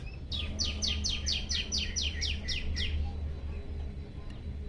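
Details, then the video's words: Active, hungry prenjak lumut giving a quick series of about ten descending high chirps in under two seconds, over a dense hiss and low background rumble. "prenjak lumut lapar gacor"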